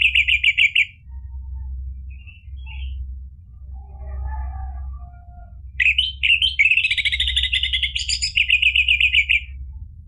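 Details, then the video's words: Lively orange-headed thrush song, used to provoke another bird into answering; a short high trill opens, faint scattered notes follow, then a long loud burst of rising whistles and fast, buzzy repeated notes over a low hum. "ANIS MERAH GACOR memancing EMOSI jadi BUNYI NYAUT ikut NGEPLONG ampuh buat terapi macet bunyi"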